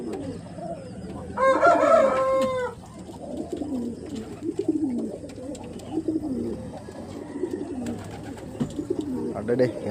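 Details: Male and female Homer and Karna pigeons in a cage cooing together in a steady, overlapping low murmur; a man talks over them and a brief louder harsh call breaks in near the start.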